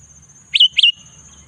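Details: Sooty-headed bulbul singing in the afternoon: a brief couplet of clear, falling-then-level whistled notes, close together, with a faint steady high whine.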